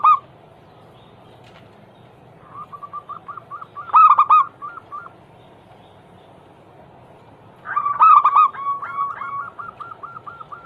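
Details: Zebra doves singing as a lure to start other doves: after a quiet gap, runs of short repeated coos build into loud bursts of three or four notes, two such phrases about four seconds apart.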